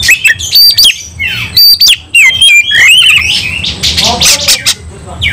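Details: White-rumped shama (kacer) fighting song mixing clear whistled notes, falling slurs and rough buzzy phrases in rapid succession, very loud.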